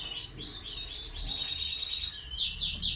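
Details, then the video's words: European goldfinch, a caged bird kept for song and tried with a mate, performing classic saka song with çizgi and half ak gerdan: liquid twittered notes and a sustained high line ending in bright, buzzy rapid trills. "Klasik Saka Çizgi Ve Yarım Ak Gerdan"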